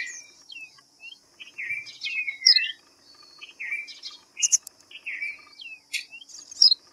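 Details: Series of sharp chirps and downslurred whistles from a white-browed fantail, given in spaced bursts, with a steady high-pitched insect drone in the background.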